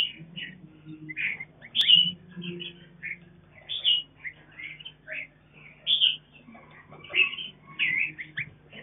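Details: Captive mutant mountain red-whiskered bulbul feeding its young on a farm; busy run of short whistled and chirping notes, repeated in clusters about every second, with a faint low steady hum beneath.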